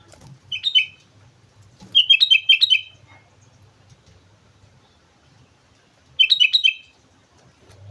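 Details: Chatty sooty-headed bulbul from Mount Slamet giving rapid clusters of bright, gurgling notes, one longer run of five or six notes between shorter bursts, with quiet pauses and a soft background hum.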